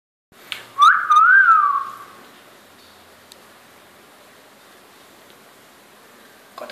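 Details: A pet talking common hill myna (Gracula religiosa), about 3.5 years old, indoors in Chittagong, Bangladesh, in August 2014, gives a clear, human-like whistled phrase, rising then wavering and falling, after a few sharp clicks. Faint room noise follows.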